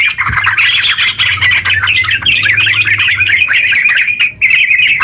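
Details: Sooty-headed bulbul singing a long, unbroken 'ngeropel' song meant to stir other bulbuls to sing, a rapid run of jumbled, chattering notes that pauses only briefly near the end.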